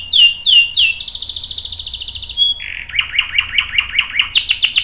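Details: Canary in full song, a long roll used to prompt other canaries to sing: a few descending sweeps, then a sustained fast trill, a brief whistle, and a lower run of rapid repeated notes.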